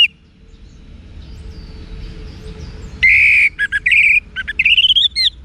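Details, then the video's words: Orange-headed thrush song for training cage birds, opening quietly, then breaking into loud buzzy whistles, short chirps and a rising slurred whistle. "ANIS MERAH Manapun Bakal Nyaut Berani Untuk Figther Saat Didengarkan Kicauan Wiksar Ini"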